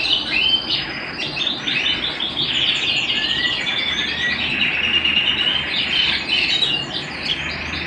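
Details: Canary singing at home, dense high chattering song of very rapid repeated notes and trills, with a few smooth whistled slides mid-phrase, steady and unbroken.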